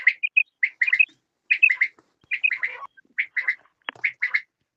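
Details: Quail (batair) giving quick clusters of harsh, chirping double and triple notes, with occasional clear tonal pips between groups. Delivery is brisk and uneven, and the background is quiet.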